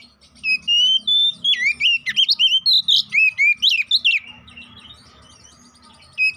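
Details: Oriental magpie-robin lure song meant to excite rival birds, with a rapid sequence of loud varied whistles and sliding notes for about four seconds, then near quiet with low background hum.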